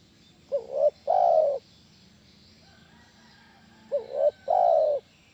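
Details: Spotted dove call played to make other doves reply: twice a pair of clipped rising notes runs into a prolonged, mellow, slightly falling coo, the phrases about three and a half seconds apart over light background noise.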